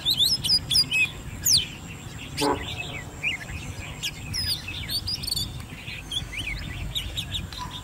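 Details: Oriental magpie-robin raised by hand from young, ten months old, singing in competition from its cage: rapid high chips and whistled slurs at the start, then softer scattered notes and a brief low buzz amid background noise.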